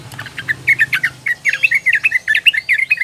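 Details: Young female sooty-headed bulbul calling to males, used as a lure, gives a lively run of short bubbly mid-pitched chirps, several per second, over a faint low hum.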